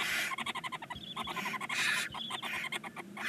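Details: Nine barn owl chicks, 19 days old, in a nest box on the side of a chimney in Ságvár, Hungary; harsh broadband hissing bursts overlap with rapid clicking pulses throughout.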